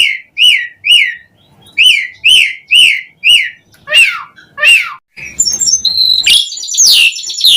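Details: Asian pied starling lure song for other starlings, beginning with about nine evenly spaced arched whistles, then breaking into harsh buzzy chatter and sweeping notes.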